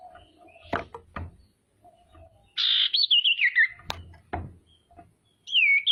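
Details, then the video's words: Female common iora calling to provoke rivals: after soft knocks and clicks, a harsh buzzy onset runs into a wavering, descending trilled whistle, and a bright falling whistle follows. "SIRTU BETINA GACOR PANCINGAN PALING AMPUH BIKIN CEPAT BUNYI DAN EMOSI SIRTU LAIN"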